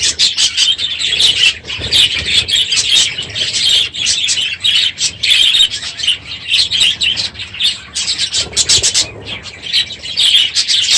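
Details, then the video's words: Morning din from a large group of aviary budgerigars late in the breeding season: rapid high chirps, chattering warbles and squeaks from many birds overlapping continuously, pulsing in loudness. "My Budgies Today - NOISY birds this morning!"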